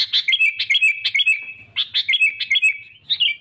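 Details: Sooty-headed bulbul singing to provoke rivals for trapping: bright warbled phrases of quick chirps with ringing notes, two bursts separated by a short gap.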